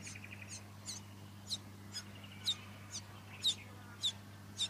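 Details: Fuscous honeyeater recorded in Victoria, Australia, in September 2019: a series of short, sharp, high notes spaced roughly half a second apart, with fainter softer chips between them over a steady low hum.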